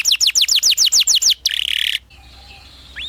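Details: Canary with training song for young birds: about ten quick falling whistles in a steady row, then a rough buzzing trill and a short pause before a final rising note.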